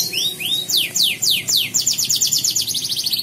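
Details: Canary entered in an online singing competition, from Pontianak, West Kalimantan: high sweeping whistled notes open the phrase, then a fast run of rapid downslurred trill notes, loud and continuous.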